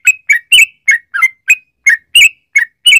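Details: Lively yellow-vented bulbul 'ropel panjang' song meant as a lure for other bulbuls: ten short bright, slightly falling chirps spaced unevenly, some doubled, on a clean quiet background.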